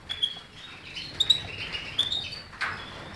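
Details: European goldfinch giving thin, clear whistled notes in short pairs, repeated roughly every second, followed by a brief softer twitter.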